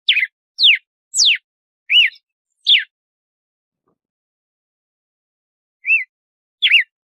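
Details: Red-cowled cardinal giving its compasso-style açoite song: five quick whistled notes sweeping up and down, a three-second pause, then two more arched whistles. No other sounds.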